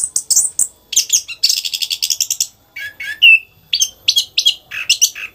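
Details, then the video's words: A caged orange-headed thrush sings a fast, varied run of high chattering notes and rattles, then clear slurred whistles and short sweet phrases, packed without pause. "Anis Kembang Gacor ROCK N ROLL"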